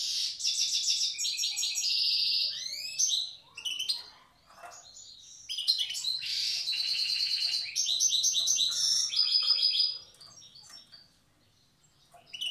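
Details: Old-style wild goldfinch song from Tiaret: loud buzzy rattles and rapid twittered phrases alternate with clear tinkling notes, then quiet gaps near the middle and the end.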